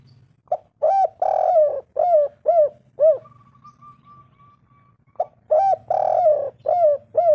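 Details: Spotted dove (tekukur), a lively caller used as a lure to draw wild doves: deep, full cooing phrases of several rounded notes, a long first note then shorter falling coos, two phrases separated by a pause with a faint thin tone.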